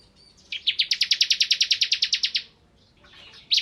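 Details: Crystal white-eye singing energetically, a quick buzzy trill of around twenty rapid high repeated notes over two seconds, followed by faint twitter and one sharp closing note.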